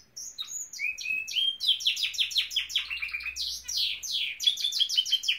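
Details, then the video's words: Norwich canary singing, a fast run of bright whistled and trilled phrases: sliding high notes, steady rapid trills, then buzzy descending strokes repeated about three times a second, with a faint low hum in the background. "Nowrich Canary singing!"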